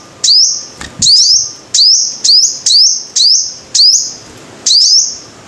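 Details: Sunbird described as five-coloured giving repeated needle-thin notes that sweep up quickly then hold a bright buzzy pitch, mostly in pairs about once a second, with a soft tap early on.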